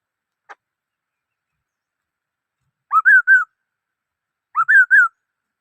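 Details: Black-throated laughingthrush singing two matching whistled phrases about a second and a half apart, each a quick rising note followed by two level, slightly wavering whistles, after a single faint tick; otherwise quiet.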